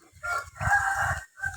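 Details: Grey Burmese rooster, the main breeding cock, at the start of the cool season: a hoarse, drawn-out crow of about a second, breaking off and then briefly starting again, with low thumps in the background.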